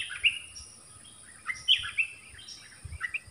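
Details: Nok dok taeng song-duel against a wild bird: separate bright chirps and short slurred whistles come in small clusters over a low rumbling background.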